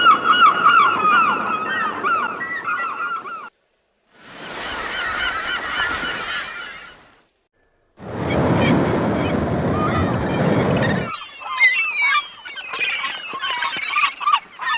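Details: Wild birds calling in nature: several bursts of dense, overlapping chirps and squeaky notes, separated by short silent breaks, ending in quicker, sharper twittering.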